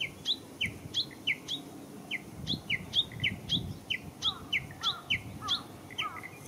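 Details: Spring song of a Japanese bush warbler at Showa Kinen Park, 10 April 2021: steady series of bright, downward-slurred double notes repeated several times a second, with quieter twitters of other birds underneath.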